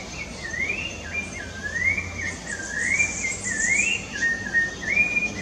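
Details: Rufous-bellied thrush in Rio de Janeiro's Parque da Chacrinha, October 2019, delivering a continuous series of looping, up-and-down whistled phrases, clear and mellow, against a persistent shrill insect background.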